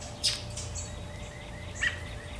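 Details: American robin giving alarm sounds: two sharp, clipped notes about a second and a half apart, each with a brief whine after it, over a low steady hum; a mockingbird was also alarming nearby.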